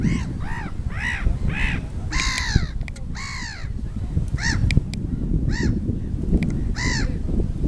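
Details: Swans on a lake in Võru, calling with loud, nasal, arched honks repeated in quick bursts by several birds, some overlapping, over a steady low rumble of wind and background noise.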